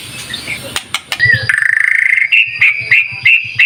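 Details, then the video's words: White-rumped shama song for luring, with a buzzy rapid trill flowing into a steady whistled phrase that breaks into short repeated notes, with a low rhythmic thumping underneath. "Pancingan Murai Batu Gacor, Sangat Ampuh buat Segala Jenis Burung, Pasti Nyaut Seketika"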